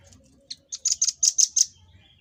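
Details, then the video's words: Velvet-fronted nuthatch (rambatan paruh merah) in a recording used to tutor cage birds, delivering a fast 'tembakan' volley of high, slightly harsh chips, some doubled, roughly seven notes within one second. "Tembakan Dan Suara Khas Burung Rambatan Paruh Merah"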